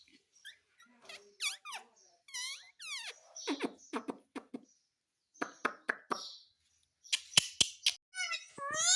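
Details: Pet parrot talking indoors, said to be asking for roti: a run of quick squeaky syllables, some sweeping up and down in harmonic arcs and others clipped and clicky, with short pauses between bursts.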